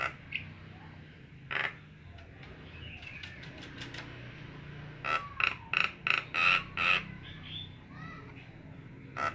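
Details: Nias hill myna giving scattered single calls and faint whistles, then a loud burst of about seven ringing notes in quick succession before going quiet.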